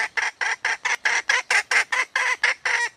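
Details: Female red junglefowl calling for a mate, giving a tight run of loud, nasal, ringing clucks at about four per second.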